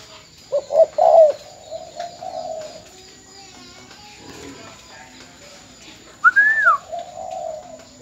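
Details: Decoy spotted dove from Bến Tre, Vietnam, recorded as a keepsake after its sale, opens with a quick burst of mellow coos, then quiet, before a different bird's loud arched whistle and a faint trailing coo.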